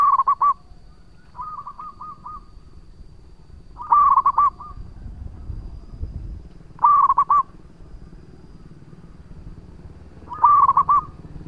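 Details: Local zebra dove lure song: phrases of rolling, bubbling coos repeated every two to three seconds, one fainter phrase from farther off between louder ones, over low background rumble.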